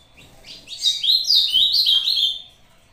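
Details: Brazuca ultramarine grosbeak delivering the short song used in competition, disputing with a playback: a single rich phrase of quick warbled whistles, climbing then descending, about two seconds long.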